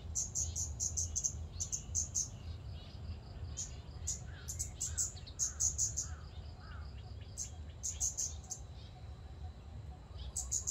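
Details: Scarlet-backed flowerpecker repeating short bursts of sharp, very high ticks throughout, accompanied by several lower rising whistled notes from another bird and a constant low rumble.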